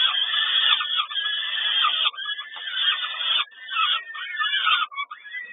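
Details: Feeding time for peregrine falcons at Kawęczyn, 10 May 2022: long rasping, wheezy screeches run together in rough surges, the last shorter and choppier.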